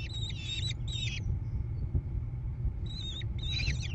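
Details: Nest-box American kestrel chicks, Prairie du Chien, Wisconsin, USA, mid-June 2022. Two bursts of grating, wavering calls open the recording, a quiet gap follows, then two more raspy bursts, all over a steady low droning hum.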